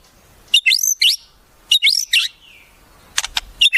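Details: White-rumped shama repeating a high, upward-sweeping phrase twice, each followed by a short note, then a cluster of sharp clicking notes; song carries wild-bird mimicry.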